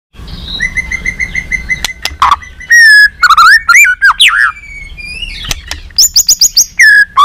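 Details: White-rumped shama in training, singing competitively with many voices while flicking its tail: clear whistled notes, sustained tones, and rising and falling slurs, with sharp clicks and a burst of rapid high notes near the end.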